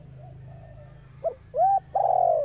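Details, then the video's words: Female spotted dove calling to rouse male decoy birds; part of a phrase with a soft grunt, a short arched coo and a long loud sliding coo over a steady low hum. "tiếng chim cu gáy mái tập bổi kích mồi căng lửa"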